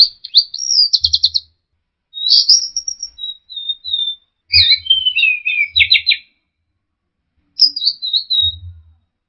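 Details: Orange-headed thrush song used as a training recording for caged birds: loud, clear whistled phrases with rapid trills and warbled notes, some dropping in pitch, delivered in bursts separated by short silences, with low thumping noise under several phrases.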